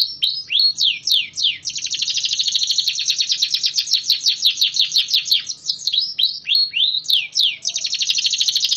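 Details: Canary of the AF type, song duration improved from 20 to about 30 seconds through twice-weekly outdoor flying therapy: falling swept notes lead into a long, unbroken, rapid high trill, with more descending sweeps near the end.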